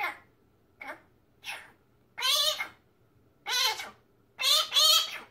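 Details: Pet male magpie kept at home, a talking bird that mimics human speech: four rough, raspy word-like bursts with harmonic bands, the later ones longer and louder, separated by short quiet gaps in a quiet indoor room.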